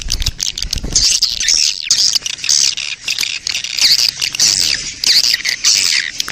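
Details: Lure sound of a swiftlet colony in breeding mood, meant to attract swiftlets: a steady wash of high, squeaky chirps and clicking twitters. One low thump comes at the very start.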